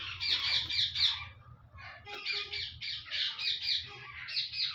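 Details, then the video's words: Harsh squawks and chattering notes come from an active male parrot kept in a cage, in rapid bursts with a brief lull midway, over a faint low hum. "Active Male parrot. enjoying in cage."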